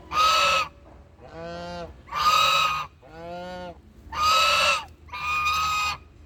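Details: Duck calling in a steady back-and-forth: loud, harsh, broadband blasts alternate with softer, tonal, slightly arched calls, each lasting under a second, roughly one call per second.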